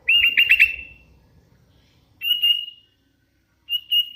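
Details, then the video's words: Actively singing hand-reared Sooty-headed Bulbul: a rapid wavering, trilled whistle, then two shorter level whistled phrases spaced over about four seconds, with faint low rumble early on. "Suara ASLI kutilang LOLOHAN GACOR"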